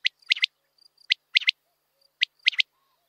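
A common quail gives its liquid three-note 'wet-my-lips' phrase, one note then a quick pair, repeated about once a second; faint distant birds whistle behind.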